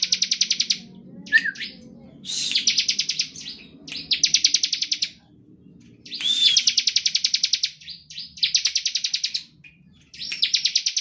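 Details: Bar-winged prinia singing energetic 'ngebren' phrases as a lure for other prinias; repeated bursts of quick buzzy high chirps, some starting with a curved whistled note, spaced by short pauses.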